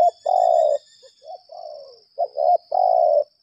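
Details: Lambung kuk decoy spotted dove calling in challenge: a long hoarse coo, soft falling coos, then a double note and another long coo, with steady high whining tones in the background.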